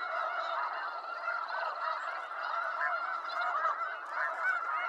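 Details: Many snow geese honking at once in eastern North America, their barking nasal notes piling into a constant noisy chorus with no pauses.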